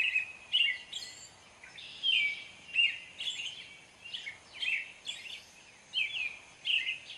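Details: Song of an American robin: bright, liquid whistled phrases, some rising and some falling, delivered in a steady run with brief pauses and faint high squeaks between them, against a quiet steady hiss.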